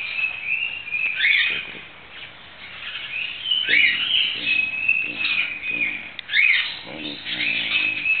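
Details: Green-cheeked conure held and rolled in the hand, giving a continuous series of high squeaky chirps and short slurred notes, several sharper accented calls, with faint soft clicks and handling sounds underneath.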